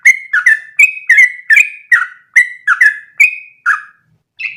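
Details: Sooty-headed bulbul performing rapid continuous 'ropel' song, kept as training audio so other birds learn it: clear whistled notes in quick pairs, alternating dipping and level tones, about two notes per second, ending after a short gap.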